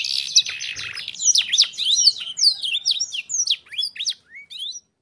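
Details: Black-throated canary singing a lure song used as a tutor for training young canaries: a fast, continuous run of high whistled slurs and sharp downswept chirps, bright and varied, slowing into a few separate rising notes at the end.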